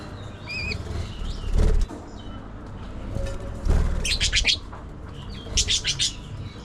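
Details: Pet budgerigar giving a few thin whistled notes early, then two loud harsh bursts of buzzy squawks, with wing flutters and thumps in between.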